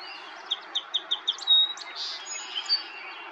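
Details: Song sparrow (Melospiza melodia) recorded in May in Ontario, Canada, with a Nikon Coolpix P1000. The song opens with five quick, evenly spaced high chips, then a sharp note, a brief buzzy burst and a few softer trailing notes over faint background hiss.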